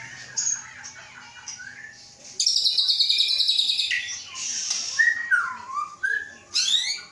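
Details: White-rumped shama from Aceh, Indonesia, a captive bird hatched 23 August 2012 and being prepared for breeding. Soft whistles lead into a loud, dense buzzy burst, then varied slurred whistles dipping and rising, ending in a sharp rising flourish.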